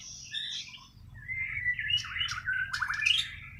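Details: Natural song of a Kalimantan white-rumped shama from Borneo, untutored: high whistled phrases sliding downward, then quick warbled notes and sharp clicks building toward the end.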